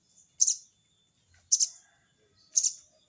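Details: Sogon bird summoning a rival, repeating a crecet call: three harsh buzzy high bursts about one second apart, each with a doubled onset and a fading tail.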